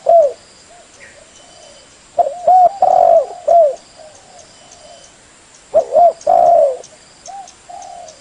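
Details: Spotted dove call used as a lure for trapping birds: loud low coo phrases repeated, each a pair of short notes followed by a long drawn, slightly falling coo and softer trailing notes, with a steady electrical hum throughout.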